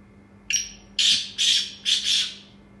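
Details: Captive black francolin, Chinrga Sindhi breed, calling with a brief thin whistle, then three strong, raspy, broad bursts spaced about half a second apart, the final burst split in two.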